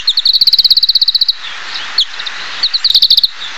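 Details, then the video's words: Oriental greenfinch delivering a long, fast, evenly paced trill of sharp notes, then a brief quiet gap with a single chip and a final short rapid trill. "金翅雀/Oriental Greenfinch"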